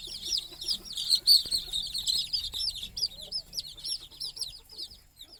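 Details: Baby chickens chirping while going to sleep with their mother hen on the nest at night; a dense chorus of high, curved peeps that is loudest early, then gradually thins and softens.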